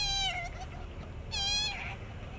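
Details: Hungry young magpie, a new baby in a neighbour's tree, begging: two loud whining calls with rich harmonics, each rising then sliding down, about a second apart, over a low background hum.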